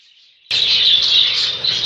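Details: A breeding colony of about 110 budgerigar pairs chatters all at once, a dense, high, buzzy warbling that never pauses.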